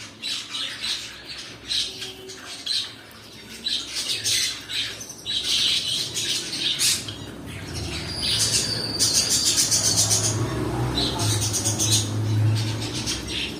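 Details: Pet cockatiels keep up a long bout of rough, scratchy squawks, scattered at first, then merging into denser continuous screeching in the second half, over a low hum.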